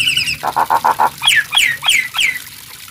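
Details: Nias hill myna song mixing a few rapid buzzy notes with clear descending whistles repeated several times, rich and ringing.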